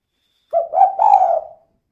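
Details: Female spotted dove calling in the kuk-kuk style, used as a lure to provoke other doves; a single low phrase, a short coo, a middle note, then a longer rolling coo trailing away.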